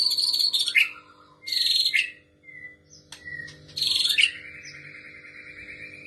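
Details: Young spotted-plumaged white-rumped shama copying the calls of a female prinia: harsh buzzy bursts ending in sharp downward slurs, repeated about every second and a half, with short whistles between and a steady low electrical hum throughout.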